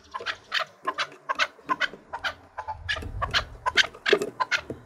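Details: Chukar partridge, a trained fighting bird, singing to challenge rivals: a rhythmic run of sharp, clucking chuk notes repeated about twice per second, with a low rumble partway through.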